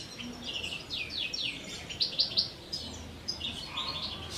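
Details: Captive common chaffinch in courtship and breeding season, 2023, one male shared between two females in an aviary; bright high chirps and a run of quick notes slurring downward, with other finch twitters around.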